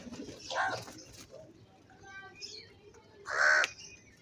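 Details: Crow calling loudly at feeding time: two harsh, raspy caws about three seconds apart, the second louder and longer, with faint softer bird notes in between.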